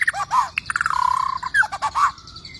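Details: Worked-up white-rumped shama, singing to rouse rival shamas into song and combat: low whistled notes and slurs, a rapid buzzy run of repeated notes, then more curved whistles.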